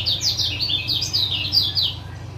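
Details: Brief run of high, sharp chirping notes from a male lemon-bellied white-eye of Lombok, repeated quickly in a bouncing pattern, used to encourage a quiet caged male to start singing; faint low hum underneath.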